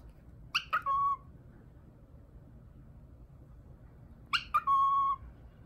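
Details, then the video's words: A pet cockatiel whistles part of the My Neighbor Totoro tune: two short phrases, each a couple of quick chirps running into a clear, steady held note, about four seconds apart, in a quiet background. "Cockatiel sings my neighbor totoro"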